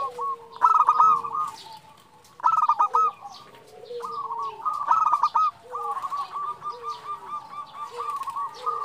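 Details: Female zebra dove calling the male, a call used to draw males and stir their excitement: bursts of quick rolling, trilled coos repeated in phrases, each followed by softer low drawn-out notes, with brief pauses between bursts.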